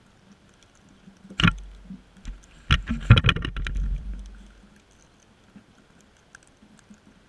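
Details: Quiet background broken by a few thumps and a cluster of bumping, handling-like knocks in the middle, with no animal calls.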